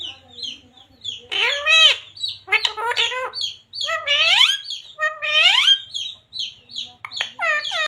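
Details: Pet green ring-necked parrot mimicking the words Radhe Radhe and Sita Ram: raspy speech-like phrases repeated several times, mixed with short high squawks and chirps between the words.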